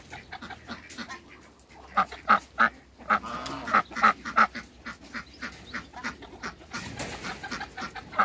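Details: Muscovy ducks in a backyard, a male and a pair together: short hoarse calls repeated in a quick irregular series, several per second at times, over soft rustling and background noise.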